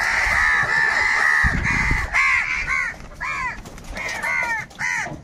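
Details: Crows squabbling over food: a drawn-out harsh rasping call followed by quick repeated arched caws, roughly two per second, loud and close.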